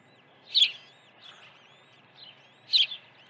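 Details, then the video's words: Osprey nest at Dunrovin Ranch during an early feeding on the morning of 1 June 2019: two rough, high chirps about two seconds apart, with soft drawn-out whistles between. "Osprey Video_2019-06-01_082412- Early feeding"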